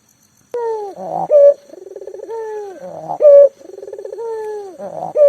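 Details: Local puter dove in full voice, kept to coax quiet doves into calling. After silence it opens with a falling note and a rough burst, then two rounds of rattled coo, sliding tone and loud clipped ending.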